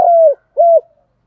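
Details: Spotted dove coos, used for training and stimulating other doves to call: two mellow, level hooting notes, each ending in a slight downward slur, separated by a short gap, with a silent background.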